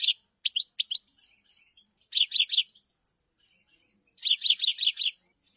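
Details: Common chaffinch singing: short clusters of bright, high chipping notes in groups of three to five, separated by pauses of about a second, with faint scattered twitters in between.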